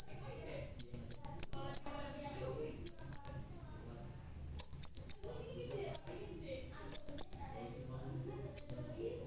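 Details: A bald crimson sunbird with a red tail sings energetically: quick clusters of three or four sharp, shrill chips, each fading into a high hiss. Around thirteen notes come in several bursts, with faint low hum underneath.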